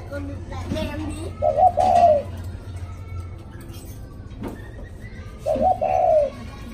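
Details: After a storm, a spotted dove gives two soft, low, rolling coo phrases about four seconds apart, set against a constant low background hum.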